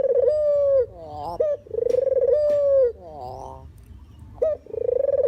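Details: Puter or deruk dove, a recording meant as a lure for trapping, with drawn-out level coos broken by quick stepped, rising notes; about three coo phrases with a quieter gap between them.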